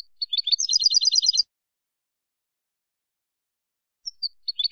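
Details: European goldfinch singing in the classic ancestral Málaga style, a recording for teaching young birds: a quick burst of high, tinkling twittered notes rattling for about a second, a pause, then a new phrase beginning, with no background noise.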